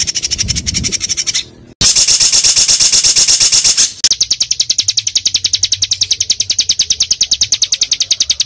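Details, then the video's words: Small songbird pouring out dense, tightly packed song for training pet birds: long runs of shrill, very rapid notes, one stretch almost a continuous buzzy trill, then steady staccato notes about twice a second. "BURUNG KECIL FULL TEMBAKAN"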